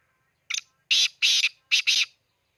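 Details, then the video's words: Near Khushab, a black francolin utters its grating call: a quick stuttered opening note, then two pairs of loud, harsh, broadband syllables in a clipped rhythm, surrounded by silence. "kala teeter ki awaz"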